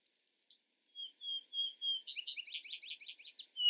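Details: Vesper sparrow: a faint note, then four slow, level whistles, then a descending cascade of rapid doubled chirps. Singing ends as another whistle begins.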